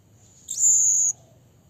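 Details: Blue-crowned hanging parrot calling to a rival, a single thin, very high shrill note lasting about half a second, briefly rising at its start, above faint low hum.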